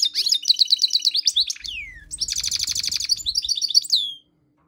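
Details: Tame goldfinch mule in full song, a lively twittering run of rapid high chirps and a falling slur, then dense buzzy trilled phrases and a closing burst of sharp notes, with a soft low rumble beneath.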